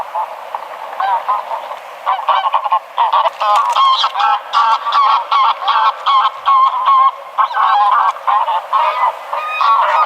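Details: Sustained stream of harsh greylag goose honks, dense and overlapping, growing louder after the first two seconds and continuing to the end.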